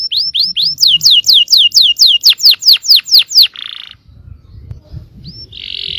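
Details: Yellow canary song used to stir other canaries to sing: a rapid series of sharp descending whistles, roughly fourteen in three and a half seconds, then a brief buzzy note, a pause, a rising chirp and another buzz.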